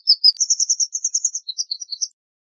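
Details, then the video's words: A white wagtail delivers a rapid, evenly pulsed run of high clipped notes, stepping up in pitch after the first two, ending in a few scattered lower and higher chirps. "White Wagtail Song! White Wagtail Call! White Wagtail Sound- Lavandera Blanca Canto - Motacilla Alba"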